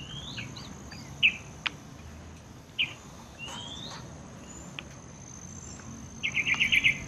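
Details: Yellow-vented bulbul at a small courtyard bird pool near a workplace, bathing. A few isolated chirps early on, then a fast burst of bubbly notes at the end, with other birds' whistles and a continuous high insect drone.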